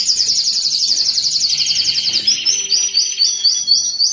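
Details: Canary singing to excite and stimulate breeding birds: a fast high rolling trill that steps down in pitch, followed by evenly repeated high whistled notes, about four per second.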